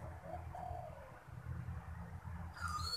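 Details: Kept spotted dove cooing when strangers approach: a short low hooted phrase of two or three notes, the last drawn out and falling, over a steady low rumble, then a thin high whistle from another bird.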